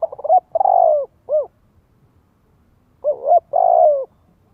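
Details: Decoy spotted dove cooing to encourage young birds to practise: stuttering short notes lead into a long mellow coo and a clipped final note, with the phrase repeated about three seconds later.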